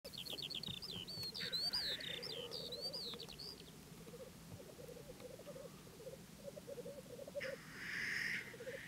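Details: Black grouse recorded in April 2011: a continuous low bubbling, cooing chorus of rapid repeated notes runs throughout, with a harsh breathy hiss near the end, while another bird's high chirps and whistles sound over the first few seconds.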